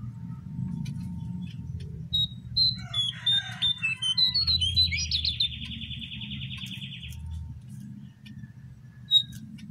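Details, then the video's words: Wild babbler among many at this spot. Scattered high chirps build into a quick jumble, then a buzzy rattling trill lasts about two and a half seconds. Sparse notes follow over a low, steady background hum. "Burung Jongkangan /Cingcoang coklat Di alam Liar"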